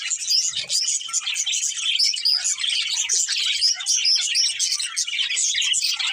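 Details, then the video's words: A pair of pet budgerigars chirping nonstop: a thick layer of fast, high twittering and warbles with several clear whistled upslurs standing out, steady loudness throughout, a brief low thump near the start. "Cute Budgies Chirping Sounds"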